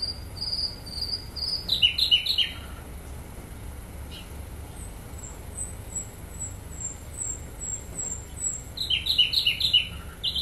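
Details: Flycatcher, sikatan londo, in vigorous song: high whistled notes, bursts of rapid descending trills repeated, a run of very high thin notes between them, with faint insect buzzing in the background.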